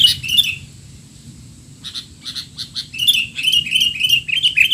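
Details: Sooty-headed bulbul giving noisy, agitated calls, used as tutoring material for untrained young bulbuls; bursts of sharp chattering chirps, a pause, then a fast run of repeated slurred notes over a faint steady high hiss.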